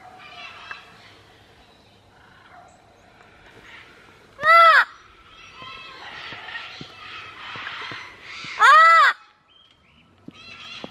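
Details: Rescue sanctuary parrot yelling by a wooden mailbox: two loud harsh arched screeches about four seconds apart, with quieter chattering and rustling in between.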